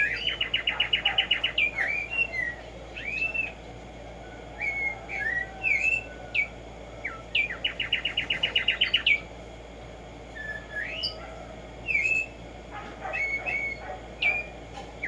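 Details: Black-striped sparrow singing in nature, played to stimulate singing: two fast runs of rapid repeated chipping notes, each about two seconds long, separated by clear whistled slurs that rise or fall, over a faint steady hum.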